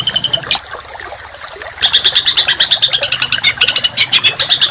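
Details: Songbird training song for contest birds. A short whistled phrase comes first, then a pause, then a fast, gritty trill of closely spaced high notes through to the end.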